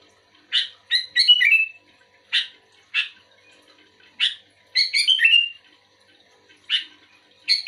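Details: Sooty-headed bulbul responding to another bulbul with scattered single chirps and two short tumbling phrases that slide down into a lower whistle, spaced by long quiet gaps.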